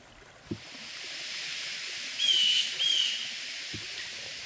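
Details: Blue Jay call: two short, high whistled notes about half a second apart, each dropping slightly, over a steady background hiss.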